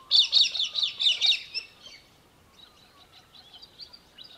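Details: Australian hobby in Victoria, Australia, December 2023, giving a quick burst of about six harsh, high chattering notes, followed by softer, scattered chips that fade out.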